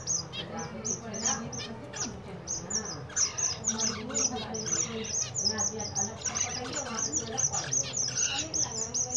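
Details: Zebra finches in winter: many high, nasal beeping calls repeated quickly and overlapping from several birds, over a low background hum.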